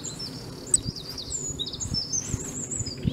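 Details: Eurasian wren recorded on 5 March 2015 at De Kleuter in Uden: high, thin trills and whistled notes run together in a fast, rambling phrase over a low background rumble.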